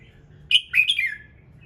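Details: Morning song of a red-whiskered bulbul, meant to get other birds singing: one quick liquid phrase of clear whistled notes that step up, then slide downward.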